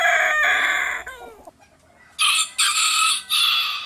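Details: Chicken (Gallus gallus domesticus), crowing.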